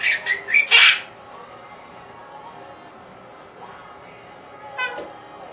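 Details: A pet Quaker (monk) parakeet talks, apparently saying "What's Spanky doing" about a household pet, in a burst of harsh, high, speech-like syllables, then falls mostly quiet.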